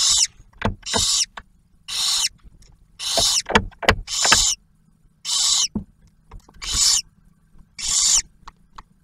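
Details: Barn owls in a nest box at Ottawa National Wildlife Refuge, Ohio, the male bringing food and the female feeding the first owlet; a string of eight harsh hissing screeches among clicks and knocks.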